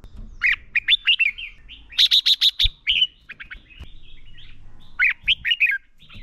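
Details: Red-whiskered bulbul fighting song from a lure bird, used for training singing birds: lively whistled phrases with a burst of five rapid sharp notes in the middle, followed by further warbling chirps.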